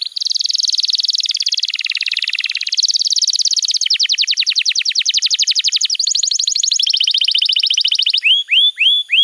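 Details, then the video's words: Canary master song used for training young canaries: a loud, fast continuous song of rapid trills that changes pitch every second or two, ending with a few separate downslurred chirps. "Masteran Kenari PAUD & Pancingan Kenari MACET BUNYI"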